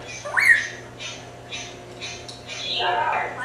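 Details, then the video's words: Young-sounding African Timneh parrot kept as a pet, just starting to vocalize indoors: a sharp rising squawk-whistle, then several soft breathy chatters and a longer raspy call near the end, in a quiet small room. "Rudo - African Timneh"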